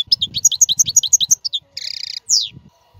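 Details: European goldfinch, whose strong song serves to tutor caged chicks: a rhythmic run of about a dozen bright repeated twitter notes, then a short buzzy rattle and a descending slurred note, with faint low rumbling beneath.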